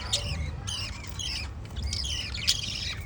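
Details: Lovebirds chirping in harsh, high squeaky bursts, short clusters of rapid notes with brief pauses between, a louder click near the end, low hum behind.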